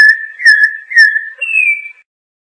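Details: Short phrase from a Campo troupial (Icterus jamacaii): a run of mellow, slightly wavering whistles finishing with a brighter, higher note that fades out.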